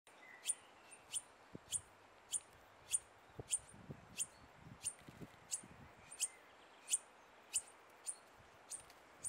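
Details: A korimako (New Zealand bellbird) fledgling gives sharp, very high chips, about one every half second to second, over a soft hiss of background noise.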